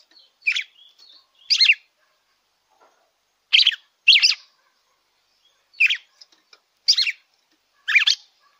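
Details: A red-cowled cardinal sings to get a kept bird going: seven short, throaty, warbled phrases come in pairs and singles, separated by one- to two-second pauses, with faint chips in between.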